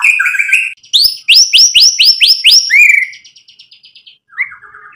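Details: White-rumped shama song, used as a lure to stir other birds into replying: a fast run of about eight sharp, high, down-slurred whistled notes, followed by a thin trill and a softer fading chatter.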